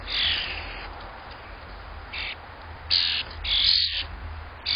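Grackle giving harsh, squeaky, rasping bursts, short and high-pitched, several within five seconds, over a steady outdoor hiss.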